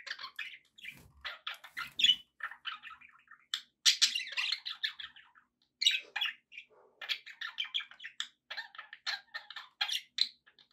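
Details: Budgies keep up a busy, rapid chatter of short scratchy chirps and squeaky warbles, bursts following one another with barely a pause.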